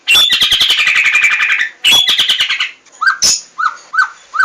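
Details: White-rumped shama song: two fast, buzzy, high trilled bursts, a sharp loud note, then short downslurred whistles repeated roughly every half second.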